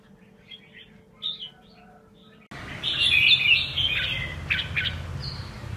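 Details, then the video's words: Red-whiskered bulbul, 'mơ' form, singing double-voice (giọng kép) song: faint chirps at first, then a sudden loud stretch of rapid, dense twittering and warbled notes over a rougher, noisier background. "Con Chào Mào MƠ cực đẹp, HÓT giọng KÉP Cực đã"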